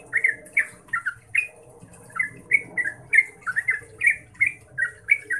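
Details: Lively 'ngeropel' singing of a yellow-vented bulbul (Pycnonotus goiavier), played to prompt other bulbuls to answer. Crisp chirps repeat steadily, with a brief pause near the middle and a faint murmur of background noise.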